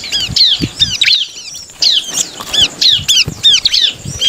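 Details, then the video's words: Bar-winged prinia song used to provoke rival birds to sing: sharp, high, downslurred notes repeated several times per second in short bursts, with a brief gap near the middle and some soft low thumps. "SUARA CIBLEK Cari Lawan Paling jitu memancing ciblek lain emosi dan langsung bunyi"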